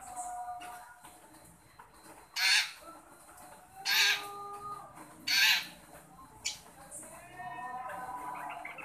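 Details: Long-tailed shrike calling to a shy shrike: three loud, rasping, screechy bursts spaced roughly one and a half seconds apart over a background of thin whistled tones, followed by a short jumbled twittering phrase.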